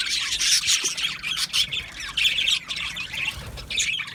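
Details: Australian budgie parrots in an aviary colony, making mating calls: bursts of squawks and warbled chirps, many voices overlapping, with short dips between louder phrases.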